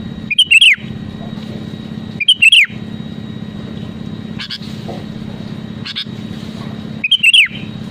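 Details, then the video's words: Sooty-headed bulbul, the song used to draw rivals into singing: three brief bubbling whistled phrases spaced roughly every three seconds, with faint clicks between and a continuous low hum. "SUARA ASLI BURUNG KUTILANG GACOR PALING AMPUH MENEKAN LAWAN UNTUK BUNYI GACOR SEKETIKA"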